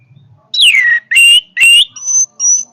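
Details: Orange-headed thrush in powerful song: a loud downward-slurred whistle, two rising ringing notes, then two thin high flat whistles, each note clearly separated.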